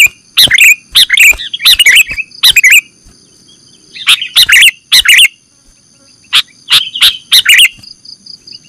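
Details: Sooty-headed bulbul used to lure birds: repeated groups of two or three harsh, rattling chack notes mixed with short liquid chirps, coming in bursts with brief pauses and a steady high tone behind.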